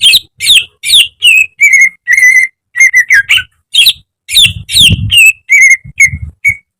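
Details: Greater green leafbird kept in a cage, singing a training song with imitated phrases: varied whistles and buzzy trills in quick succession, with low thumping sounds in the background.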